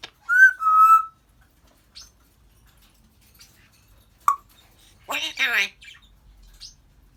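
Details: African grey parrot at home opens with a loud, clear two-part whistle, pauses, then gives a soft click and a two-syllable speech-like phrase before falling quiet.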